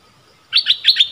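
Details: Decoy streak-eared bulbul luring wild birds in January 2021. Four quick, bright, bubbly notes follow a brief silence.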